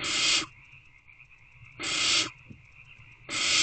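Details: Begging owlets in owl box C, 3/2/24, 6:28 pm, waiting for a parent to bring food: breathy, screechy hisses about half a second long, three in under four seconds, with a faint steady hum behind.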